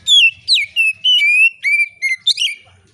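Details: Oriental magpie-robin singing steadily and calmly in a clear, open voice, a song said to prompt other magpie-robins to sing: a rapid run of about eight loud whistled notes, each sliding or falling, packed into three seconds.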